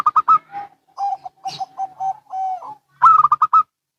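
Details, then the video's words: Local and Bangkok zebra doves calling back and forth: a loud rapid stutter of coos opens, followed by a series of softer, evenly spaced coos with a drawn-out note, then another loud burst of quick coos. "Perkutut Lokal & Bangkok Bunyi Saling Bersahutan"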